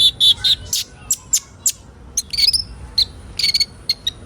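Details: Kolibri ninja sunbird recording used to train young birds to sing: a rapid jumble of high, piercing chirps and buzzy notes, tightly packed at first, then spaced out, over faint background hiss.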